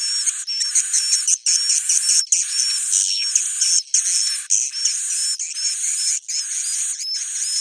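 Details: Roosting sound of swiftlets in the Bhayangkari style: long buzzy trills in bursts of about one second, separated by short pauses, carrying repeated looping high whistles.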